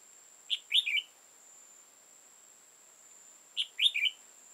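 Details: {'text': 'Old wild red-whiskered bulbul with a tall crest and dark bib, heard at a trap on 15 October 2018; two matching phrases of four quick bright warbled notes, about three seconds apart, over a faint steady high whine.'}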